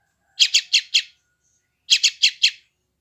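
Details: Yellow-vented bulbul youngster in West Java, Android phone recording meant to make new wild-caught birds respond and tame quickly: two sets of four rasping chirps, about a second and a half apart.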